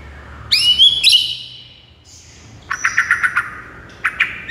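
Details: White-rumped shama song for rousing a silent bird: two bright upswept whistles with rich overtones, a short high tone, then a quick series of clipped chattering notes and a final burst.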